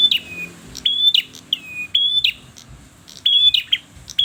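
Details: Persistent song of a red-headed bird, made of clear high whistles that drop and trail off in a short glide, given in quick pairs with brief gaps between them.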